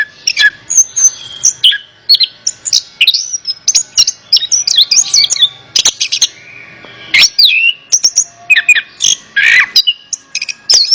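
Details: Orange-headed thrush song for therapy with a bird that will not sing: eleven seconds of rich, varied whistling, quick slurred phrases and sharp notes in a steady, rapid flow.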